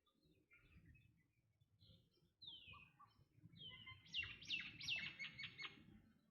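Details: Black drongo calling: a few soft scattered notes, then a clear downward-sliding whistle, followed by a loud burst of rapid, ringing, metallic chirps repeated several times a second, over faint low background rumble.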